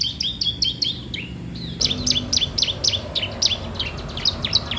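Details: Bar-winged prinia singing nonstop, used as a master or lure for training young prinias: rapid run of sharp, high chirps, each dropping in pitch, repeated several times a second, with a brief pause before a louder burst.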